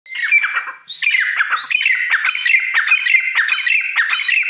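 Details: Black francolin calling: loud, harsh grating notes given in quick succession, roughly one and a half per second, each rasping and slightly descending, forming a continuous scratchy series.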